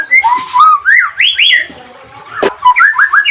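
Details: White-rumped shama singing as a lure for reluctant, stressed birds: mellow whistles climbing in pitch, a pause, a sharp click, then a quick run of short rising notes.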